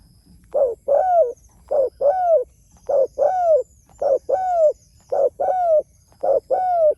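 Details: Spotted dove calling to its companions: low, soft cooing phrases, each a short hoarse note followed by a longer arched coo, repeated steadily about every second over a faint background hum.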